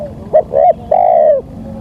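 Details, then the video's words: Spotted dove lure call used to attract wild doves: a short coo, a medium coo, then a long, level, slightly falling hollow coo. "Pancingan suara tekukur"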